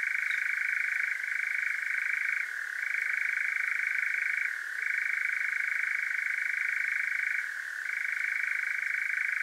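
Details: Unbroken churring of a European nightjar at night, Devon, South West England, parabolic microphone field recording; the dry, rapid trill runs on evenly, sagging slightly in pitch three times.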